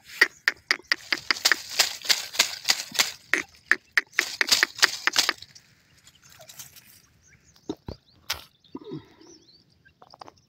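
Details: A francolin (teetar, a South Asian partridge) gives a rapid series of harsh, grating notes, about three per second, for five seconds. Scattered quieter clicks and faint rustling follow.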